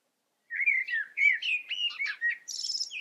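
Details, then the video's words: A common blackbird sings a mellow, fluting warble of varied phrases, ending in a high, squeaky twitter, with no other sounds heard. "Amsel singt. Blackbird sings"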